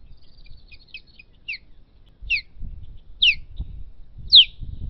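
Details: Osprey in a fight for its nest, giving a few thin, high chirps that become loud, piercing down-slurred whistles about once a second, over faint wind or handling noise.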